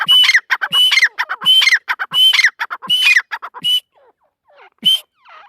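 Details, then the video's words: Female partridge: repeated harsh, ringing bursts about every seventy hundredths of a second, each followed by short scratchy notes, fading to faint squeaks near the end. "mdi ke Awaz # tetar sound # Teetar Voice"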